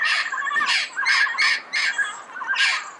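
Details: Red-crowned amazon recorded early morning in Pasadena: six loud, harsh, nasal squawks delivered about twice a second, each rough and broad, with soft high chirping behind.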